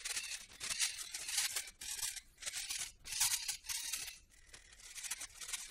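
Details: Repeated bursts of dry tearing and scraping noise, irregular and high-pitched, rising and fading about every second in a small indoor room, with no animal calls.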